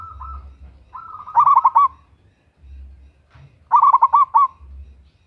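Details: Zebra dove, local type, female calling a male as a lure: a soft drawn-out coo leads into a loud run of rapid clipped notes, and a second staccato phrase follows about two seconds later.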